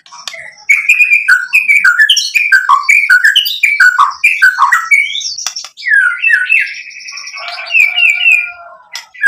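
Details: Song of a White-rumped shama, played to provoke other shamas: repeated short falling whistles in a quick series, then a buzzy rattling trill and mixed notes.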